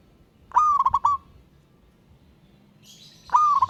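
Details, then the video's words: Local wild zebra dove calling a rival, ngayer style: two stuttering cooing phrases of rapid clipped notes ending in a held note, with a brief high buzzy sound just before the second. "Burung Perkutut LOKAL Alam Ngayer Memanggil Lawan"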